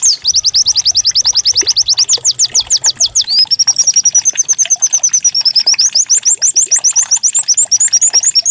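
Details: Decoy song of a white-eye, canary-like in style, meant to set other birds singing: a long series of quick descending whistled notes, then an even high trill that ends in clipped upswept chirps.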